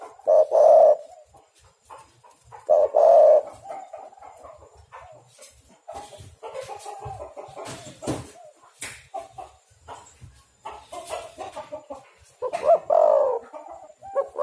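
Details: Spotted dove cooing used as a trapping lure: three loud throaty coo phrases at the start, near three seconds and near the end, separated by clattering knocks and rustling handling noise.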